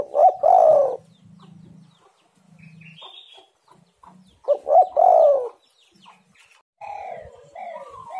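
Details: Spotted dove call used as a lure to get other birds calling: two loud, husky coo phrases about four seconds apart, each a short rising note into a long rolling coo, with softer low coos between them.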